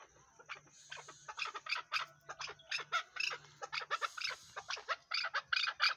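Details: Chukar partridge calling: a dense run of harsh, clipped notes, irregular and overlapping, building from the first second and continuing steadily to the end.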